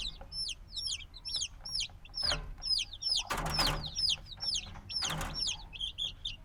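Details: Black chicks only a few days old cheep constantly, high sliding peeps tumbling over one another at a rapid pace, broken twice by brief bursts of broad rustling or scratching noise, with low hum beneath.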